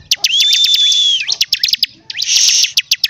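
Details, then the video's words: Bar-winged prinia song with a long, slightly rising high whistle over a buzzy trill, then sharp rapid chips and another harsh buzzing burst. "CIBLEK CIBLEK GACOR DORRRR!!!"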